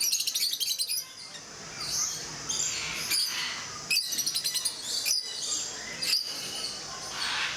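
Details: Captive rosy-faced lovebirds in a zoo group at Mysore. A rapid chattering burst of high chirps opens, followed by softer, smeared twittering and a few isolated sharp notes.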